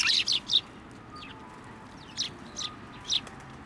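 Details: Several sparrows at a Tenmangu shrine, 15 November 2023, landing on a hand to be fed; three sharp high chirps open, then quieter scattered tweets about every half second later on.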